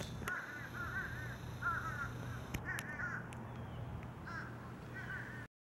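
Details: Crows calling in Savannah, Georgia: a run of rough, grating caws in uneven bursts roughly every second, with scattered sharp clicks and a low constant hum underneath.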